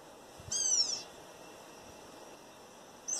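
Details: A wild Campo troupial in a backyard, apparently in Brazil's Northeast, gives a clear, high whistled phrase that wavers slightly, then a brief second note about two seconds later over quiet background hiss.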